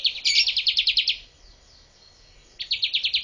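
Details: Bar-winged prinia singing, used as a master song for training birds: fast trills of sharp, buzzy chirps repeated about ten times a second, one burst over a second long, a pause, then a second trill starting.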